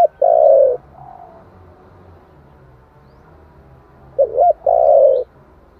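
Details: Spotted dove singing giọng thổ style, a lure to provoke wild doves. A long loud coo and a fainter note are followed by a pause, then a double hoot and another sustained coo.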